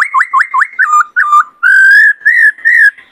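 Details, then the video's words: White-cheeked laughingthrush singing in many varied voices during training of wild-caught birds and rousing of males to sing and dance: a run of quick rising whistled notes, then long, loud, slurred whistles repeated about three times. "Khướu bạc má hót nhiều giọng hay Luyện khướu bổi kích khướu trống căng lửa hót múa"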